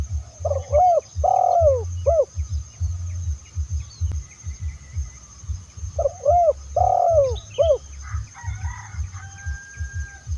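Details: Spotted dove cooing, recorded in Indonesia for use in luring other spotted doves: two hoarse phrases of short rising-falling coos and one drawn-out note, over a steady low thumping rhythm, with faint chirps from another bird near the end.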